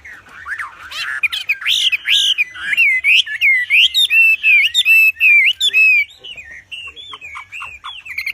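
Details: Wambi in song form with a loud, hard voice, a master song for training: quick chain of sliding whistles and chirps, many short notes per second, fading at the end.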